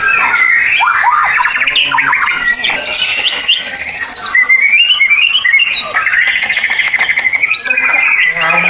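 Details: Caged white-rumped shama master song, used to coax other birds into singing: a dense, continuous run of rapid chattering trills and whistled phrases, mostly high and loud throughout, with overlapping notes suggesting layered or mixed song.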